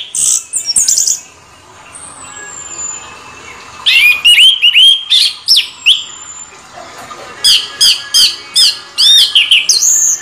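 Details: An orange-headed thrush delivering its continuous rolling song, called ngeroll bocor, opens with high chirps and a long thin whistle, then rapid series of loud, descending whistled notes repeated several times per second.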